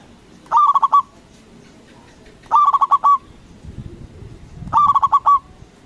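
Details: A loud, vigorously calling local zebra dove used to make rival doves respond. Three evenly spaced rolling coos arrive about every 2.2 seconds, each a burst of rapid pulsed notes, with a low murmur of background noise between them.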